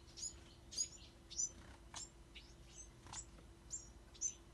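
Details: Bewick's wren fledglings chirping busily: quick, very high squeaky notes repeated about twice a second, uneven in rhythm and loudness.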